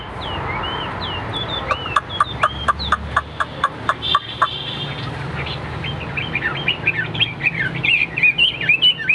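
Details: Caged Hwamei in contest display with fanned tail: a few whistles, then a run of regular sharp taps, followed by a quick tumbling series of whistled slurs.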